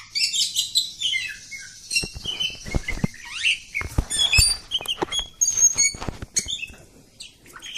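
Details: Oriental magpie-robin, a village bird, in long continuous song: rapid varied whistles, chirps and harsh rattling notes high in pitch, with sharp clicking bursts in the middle and a faint low hum beneath.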